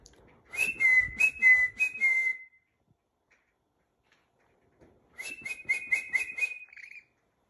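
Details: Pet rainbow lorikeet being hand-tamed and trained, giving two bursts of rapid, high whistled notes alternating between two pitches, about five notes each, separated by several seconds of silence; a person coaxes it nearby.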